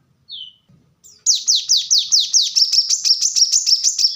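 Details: Plain-throated sunbird, called kolibri kelapa, giving fast rapid-fire song meant as training audio for cage birds: one thin falling note, a pause, then a string of downslurred high whistles speeding into a dense rattling trill.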